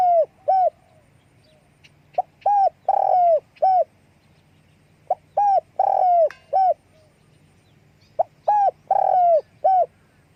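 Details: Spotted dove giving its call with wing flapping: three phrases of hollow coos, each opening with brief clipped notes before longer, fuller, slightly falling coos, repeated roughly every three seconds against a faint steady hum.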